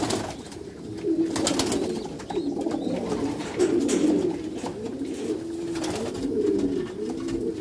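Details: Continuous deep, burbling coos from Meulemans racing pigeons kept in a backyard loft. The phrases overlap and rise and fall, with occasional sharp taps in the loft.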